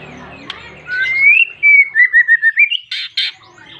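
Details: White-rumped shama in full song, calling a rival to spur other shamas to sing: a long sliding whistle rising and wavering, then a quick series of about eight sharp repeated notes and two harsh bursts.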